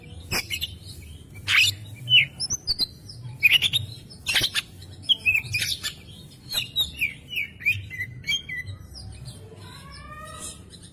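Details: Oriental magpie-robin, long-running masteran tutor song in the chattering gacor nembak style: scattered short sharp chirps and whistled notes, some rising or falling, with a steady low hum underneath.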